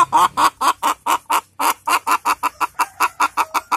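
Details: Chicken hen looking for a comfortable place to lay: a rapid, insistent run of about eighteen short, throaty clucks, roughly four or five per second and evenly spaced. It is loud and close, with a faint low hum behind.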